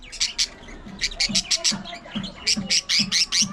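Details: Budgerigars kept as pets, playing and squabbling: rapid bursts of harsh, buzzy high chirps repeated about three times a second, each with a low thump beneath, in a quiet room.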